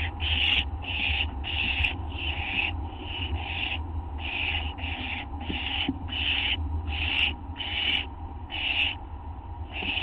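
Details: Nest of barn owl owlets receiving food on an August 2011 dawn; steady run of scratchy, wheezing hiss calls roughly every half second to second, backed by a low humming tone.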